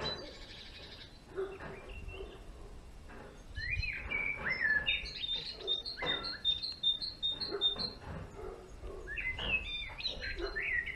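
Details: Male European greenfinch singing in a garden: scattered chirps lead into a fast series of rapid high repeated notes, then more twittering rising phrases, with a steady low background rumble.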